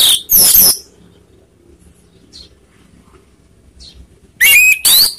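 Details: Orange-headed thrush song used as a lure to stir up rivals, heard as two loud rasping bursts at the start, near-silence with a few soft ticks, then a sharp upslurred whistle and a harsh burst to finish.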